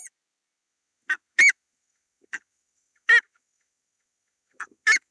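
Buff-necked ibis giving loud, metallic, goose-like honks, each led by a softer clipped note, every one and a half to two seconds; otherwise quiet.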